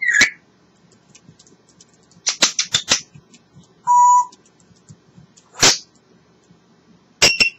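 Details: A pet African grey parrot talking away, giving scattered sharp squeaks, clicks and a clear steady whistle in short bursts separated by pauses, with a quiet room hum underneath.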